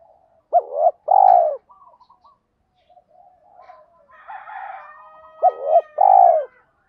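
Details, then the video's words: Spotted dove coo intended to make wild doves sing back: two looping-note-and-long-coo phrases separated by soft murmurs, with a harsher, buzzy, drawn-out call from another bird just before the second phrase. "tiếng chim cu gáy thúc đấu giọng gáy hay, giúp kích hoạt những con chim bổi gáy theo"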